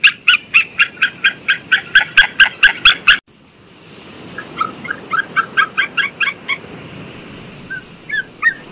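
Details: White-tailed eagle giving a loud run of about fifteen rapid, ringing yelps. A break follows, then a fainter series of about a dozen similar notes and a few scattered soft calls at the end.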